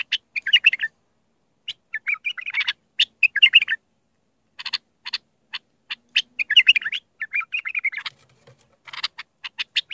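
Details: Iraqi bulbul of the Mandali song style, recorded to teach bulbul chicks: quick bubbling warbled phrases alternate with runs of dry clicking notes, almost continuous over ten seconds.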